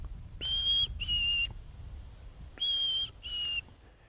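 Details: A male Black-capped Chickadee at Daniel Webster Wildlife Sanctuary, Marshfield, Massachusetts, whistles its thin, clear fee-bee song twice, a higher note then a slightly lower one, about two seconds apart; males sing this while moving around their territories in the breeding season.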